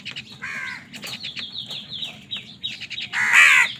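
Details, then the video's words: Crows fighting for food: a short caw opens, a run of thin descending chirps from another bird follows, then a long, loud, grating caw closes the sequence. "কাকের ডাক Crow Sound Crow ki Awaz Loudly | Crow bird Fight for Food"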